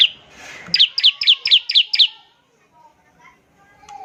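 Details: A singing bar-winged prinia delivers a short ngebren trill to coax other prinias into singing: one high note, then a series of six sharp, ringing notes about a quarter-second apart, then quiet with faint background sounds.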